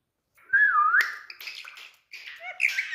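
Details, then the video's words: Pet Indian parrot talking, with a warbled rising and falling whistled phrase followed by scratchy syllables and a second brief burst of chattering sounds. "Speaking parrot"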